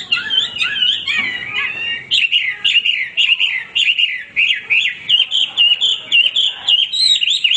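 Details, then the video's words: Nonstop singing from a Hwamei, opening with tumbling varied whistles, then settling into quick repeated wavering whistled notes nearly two per second, loud and bright throughout. "wambi gacor berkicau tanpa henti"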